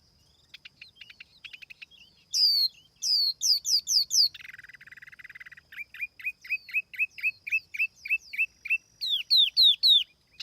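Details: Laughingthrush lure song, clean recording: soft ticking notes, loud rising whistles in a rapid series, a low buzzy rattle, then a long run of short upslurred whistles about two per second and more loud whistles.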